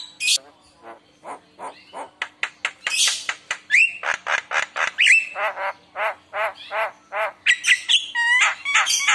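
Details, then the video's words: Javan myna song played to provoke other mynas to sing: long fast series of clipped harsh notes, nearly three per second, broken by occasional whistled slurs and noisy squawks. "Pancingan Jalak kebo Gacor full Isian Mewah dijamin Langsung Nyaut"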